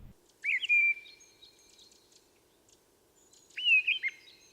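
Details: On a mountain walk in the Vallée d'Ossau, Pyrenees, a mistle thrush gives two short, fluty whistled phrases about three seconds apart, each sliding and warbling at a high pitch; a faint steady hum sits underneath.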